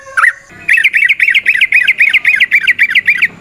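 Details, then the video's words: Yellow-vented bulbul singing in the wild, long 'ropel panjang' style used to lure others: a brief opening note, then a steady run of about twelve quick rising-falling chirps, rapid and rattling. "Trucukan GACOR ngalas ROPEL PANJANG suara alam AMPUH buat pancingan"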